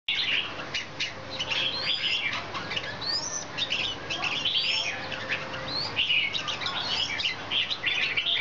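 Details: Red-whiskered bulbul in full breeding fire, wing-dancing, gives busy, bright chirps and quick rising whistles with hardly a pause; a steady hum runs underneath.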